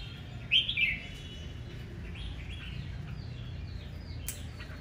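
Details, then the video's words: A short, loud, chattering warble from a red-whiskered bulbul singing aggressively in the morning, followed by a faint chorus of other birds' chirps and a brief click. "Tiếng chào mào hót đấu ché"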